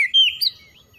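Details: Oriental magpie-robin singing in the morning: one short, clear whistled phrase, a sweet sliding note followed by a brief higher flourish, fading out within a second.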